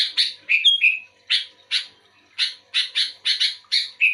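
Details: A lively sooty-headed bulbul responding to a second bulbul: an opening pair of sweet whistled, down-slurred notes, then a steady series of harsh, scratchy chatter notes spaced about a third of a second apart.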